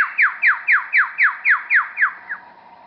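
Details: Superb lyrebird imitating other forest birds, hidden in scrub a few metres away at Bungonia State Conservation Area: a loud run of nine quick downward-sweeping notes, about four per second, fading at the end.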